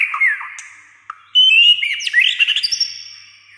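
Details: White-rumped shama singing, said to keep on almost all day with many voices; falling slurred whistles, then a loud jumble of fast chirps and sweeps over a sustained high note.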